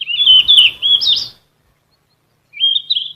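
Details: Yellow-rumped flycatcher singing as a training song for caged birds: a sustained high, rippling whistled phrase of over a second, a gap, then a shorter rising twittering phrase. No other noise.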